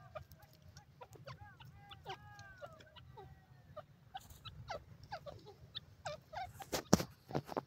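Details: A brown partridge calls with a run of clucking, chattering notes and a few drawn-out, bending calls between them, over a steady low hum and some sharp knocks.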